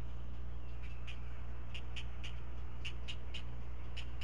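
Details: Great blue heron nest with four chicks getting breakfast from a parent that regurgitates fish, filmed by a Chesapeake bird cam. Rapid dry clacking calls in quick runs, with short pauses between, under a constant low hum.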